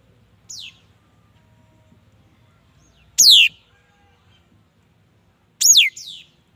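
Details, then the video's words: Mi dat bird song: three sharp, high whistled phrases spaced about two to three seconds apart, each a fast downward-sliding sweep. A faint low hum sits underneath. "Tiếng chim mi đất hót chuẩn"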